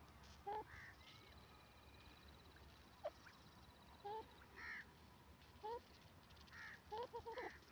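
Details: Grey francolin, locally called dakhni teetar, giving short, faint calls: clipped arched notes and paired lower notes in small clusters a second or more apart, over steady background hiss.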